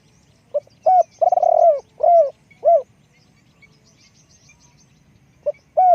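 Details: Spotted dove, kept as a decoy, giving a rhythmic cooing phrase: short coo, long vibrating purr, then two falling coos. A long silence follows before another phrase begins.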